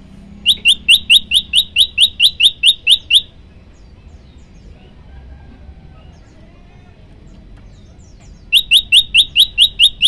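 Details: Prenjak lumut (prinia) in a long one-breath 'tembakan' burst, used as a training recording for songbirds: rapid, evenly repeated sharp high chirps, about four per second, running three seconds, then a pause of quiet background hum before the chirping series resumes.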